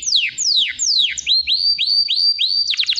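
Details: Canary singing a bright phrase: three or four fast downward-sliding whistles, then a run of short rising notes repeated about three times a second, ending in quick clipped chips.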